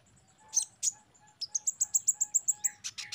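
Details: Sunbird song played to train caged birds: a couple of sharp high notes, then a fast, steady series of about a dozen bright high chips, closing in harsh twittering, with a faint lower tonal note in the background.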